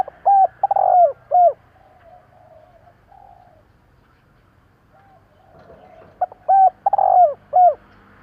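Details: Spotted dove calling quickly to lure rivals, two phrases of about four arched, hollow coos, one opening and one near six seconds, separated by soft low murmuring coos and quiet rural background.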